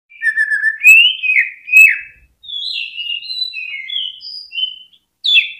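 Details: Greater green leafbird song used as a lure to stimulate other birds to sing: clear whistled phrases, some slurred and falling, others short and level, shifting between mid and high pitches with brief pauses.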